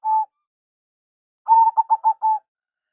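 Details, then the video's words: Local zebra dove lure song with a big voice: a single coo, a pause, then a rapid flutter of notes that settles into three rounded, level coos. "Perkutut Lokal Suara BESAR ISTIMEWA"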